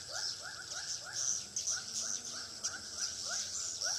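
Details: Repeated swiftlet chirps, each a quick upward sweep, come in uneven runs above a constant shrill twittering. They are used as a lure for a swiftlet house in Pekanbaru.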